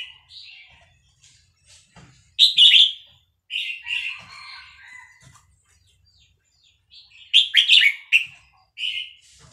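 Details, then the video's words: {'text': 'Vietnamese red-whiskered bulbul in a cage, singing along to played chick sounds, links several quick whistled and chirped phrases in two busy clusters separated by a short quiet gap.'} "นกกรงหัวจุกเวียดนาม ต่อดอกเร็ว เปิดยั้วลูกนกฟักแล้วคึกร้องตาม"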